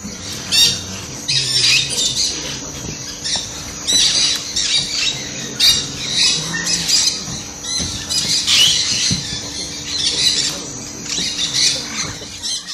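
Yellow-crowned amazon giving harsh, raspy squawks in repeated bursts about every second, loud and grating throughout, with a faint steady hum underneath.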